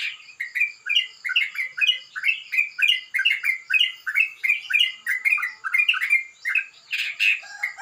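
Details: Sooty-headed bulbul singing a rough, rapid song in the morning dew: dense runs of short chattering, bubbly notes in quick succession, steady throughout with slight rises and falls, a brief higher flourish near the end.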